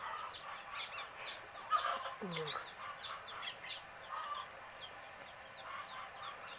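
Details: Baby chicks falling asleep peep in quick high downward slides, many voices overlapping. One lower, drawn-out gliding note stands out early on.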